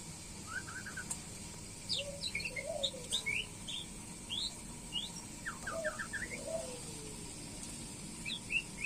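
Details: White-rumped shama during pairing: scattered whistled notes at varied pitches, some rising, some dropping, with a few lower slurred notes and short gaps between phrases, over a steady faint electrical hum.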